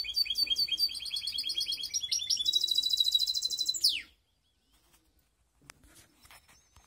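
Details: Mixed canary (baster) from Skopje in full song: rapid high-pitched chirped phrases, then a dense buzzy trill ending in a sharp downward sweep near four seconds, followed by near silence with faint clicks.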